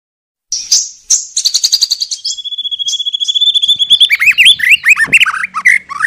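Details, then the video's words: White-rumped shama song used as a lure to make other shamas answer and sing fully: clear high whistles and buzzy bursts open it, then a long steady whistled note gives way to fast, varied, warbling rising and falling phrases. "memikat MURAI BATU agar NYAUT dan NGEPLONG"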